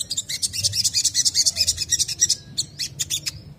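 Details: Crimson sunbird in a rapid, chattering twitter used to lure other sunbirds into singing: a dense run of very high, sharp ticking notes for over two seconds, then a few separate thin whistled slurs and chips.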